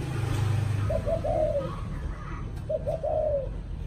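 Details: Spotted dove in the evening giving two mellow cooing phrases. Each has quick short notes before a longer sliding coo, over a heavy low rumble.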